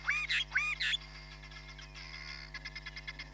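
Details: Hamerkop, live camera, Nkorho Bush Lodge, 31 July 2021. Two loud, ringing, arched calls come in quick succession, then a softer stretch of rapid clicking pulses over a constant low hum.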